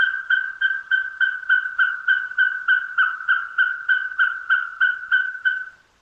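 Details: Austral pygmy owl, or chuncho, recorded in the forests of Aysén, Chile, with a call likened to a car alarm; a steady run of about twenty clipped, even-pitched notes, roughly three per second, over a quiet background.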